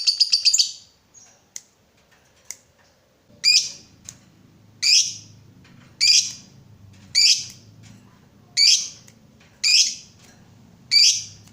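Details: Lovebird song used as a lure to stimulate other lovebirds to sing: harsh, high chattering bursts repeating about once a second, each a short buzzy burst, with a low background hum.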